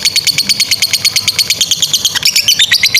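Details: Lovebird giving a ngekek trill for young or silent birds to copy: quick, regularly spaced shrill chips forming a brisk rattle, growing more squeaky and uneven toward the end.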